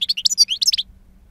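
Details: Two-year-old European goldfinch of wild song style, noted for powerful timbre and long calls, giving a quick burst of high twittering notes over under a second, then quiet.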